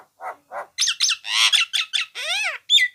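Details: Nias hill myna recorded to tutor songbirds, giving two soft low croaks, then loud harsh screeches and a rising-falling wavering squawk ending in a bright whistled note, all within three seconds.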